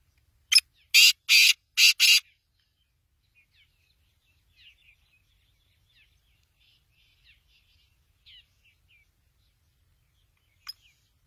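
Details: Black francolin calling: four loud, harsh, rasping notes in a quick burst, then faint chirps from other small birds in an otherwise quiet background.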